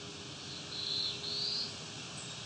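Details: Black-throated Blue Warbler singing quietly very close by, recorded July 19, 2019 near Wiarton, Ontario, Canada: two short, high buzzy notes, the second slightly rising, over a steady hiss of background noise.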